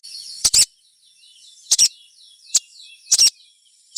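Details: Sharp double chirps from a little spiderhunter (sogon) meant to spur other sogons into song: very high, clipped paired notes repeated about every second, with a single chirp between pairs, over a quiet steady hiss.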